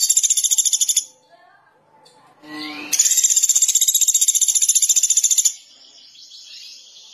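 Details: Sunda pygmy woodpecker (pelatuk beras), singing vigorously (gacor): a rapid, high, buzzy trill lasting about a second, a short gap with faint chips, then a longer steady trill of about two and a half seconds.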